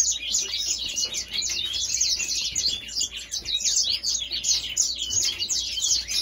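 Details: Continuous African grey singing finch song, a hurried, rambling twitter of high chirps, trills and down-slurred whistles delivered without a break, sweet and busy in tone.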